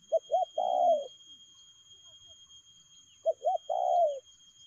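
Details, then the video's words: Spotted dove singing quick 'lèo gù' coos: two separated phrases, each two clipped hollow notes and then a long, mellow, downward-sliding coo, with near silence between them. "Nết chơi nhanh lẹ, gù tốc độ.Clip445/ Nước chơi lèo gù"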